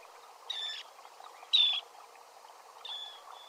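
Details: A Dunlin in flight gives its flight call: three harsh, buzzy, slightly descending 'treeep' notes spaced about a second apart, the middle one loudest, over a faint low hiss.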